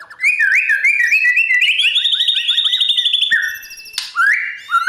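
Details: White-rumped shama in competition training, singing a long continuous run of rapid warbled whistles that climb steadily in pitch, then a harsh burst followed by lower whistled notes.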